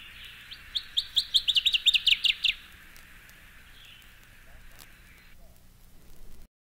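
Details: A Northern Waterthrush sings a loud, emphatic run of about fifteen sharp, high, clipped notes that speed up over roughly two seconds, then fades into a quiet hiss with a faint distant note.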